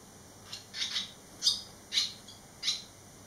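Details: Eleven days after fledging, three young barn swallows back at the nest give short, high chirps, some doubled, roughly every half second to second, fairly soft against a quiet room-like background.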